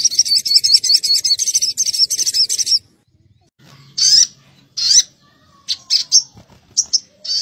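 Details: Crimson sunbird lure meant to agitate birds: almost three seconds of rapid, slightly stuttering high trill, a short silence, then a series of harsh, buzzy scratchy calls in uneven bursts.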